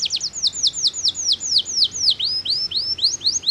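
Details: Canary delivering powerful song to excite opponents, a steady run of bright downward-sweeping whistles, several per second, with some notes rising at the end.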